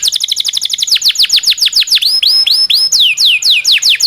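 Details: Long rolling domestic canary song meant as a training model for canaries, with a quick series of falling chirps followed by fuller rising and falling whistled phrases ringing with high overtones.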